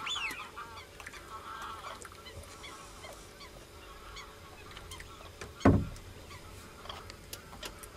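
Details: Common cranes give loud, layered, honking trumpet calls through the first two seconds, then fainter notes follow. A sharp thump cuts in near the middle, with scattered clicks and a low background rumble throughout.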